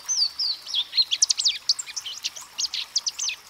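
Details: Louisiana waterthrush song over a busy background: several slurred whistles at the start, then a long run of quick, sharp chips and jumbled twittering notes, possibly more than one bird calling at once.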